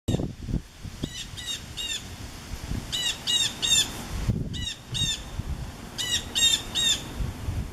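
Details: A blue jay in backyard trees on a summer afternoon in August 2015 as a fast severe thunderstorm approaches, probably warning other birds, gives harsh ringing calls in bursts of two to four over wind and storm rumble.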